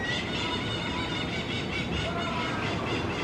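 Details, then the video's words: Crimson-fronted Parakeets (Psittacara finschi) keep up a dense, harsh screeching chatter, many overlapping grating calls running without a break over a steady noisy background. "Crimson-fronted Parakeet (Psittacara finschi)"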